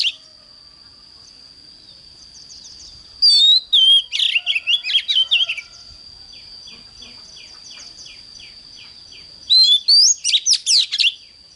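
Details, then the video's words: Morning song of an oriental magpie-robin, used to train birds to sing intensely: loud bursts of swooping whistles and warbles, then a soft run of quick repeated chips, with a steady high whine behind. "Chích choè than hót sáng"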